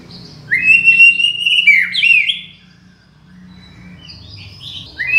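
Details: Master and luring song of the white-rumped shama (murai batu): a rising whistle into a sustained note with a looping flourish, then softer twittering phrases and a fresh rising whistle.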